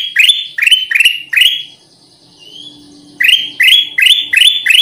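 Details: Black-crested Bulbul (kutilang emas), a lure recording for attracting birds: bursts of sharp, rising chirps repeated about two or three per second, broken by a short quiet gap with faint high notes before the run resumes.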